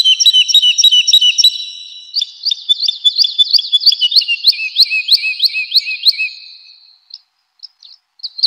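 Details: Woodlark singing in a spring forest: clear, liquid whistled notes repeated in quick series, each phrase sliding downward and speeding up, with several phrases in a row before trailing off into a few scattered high notes.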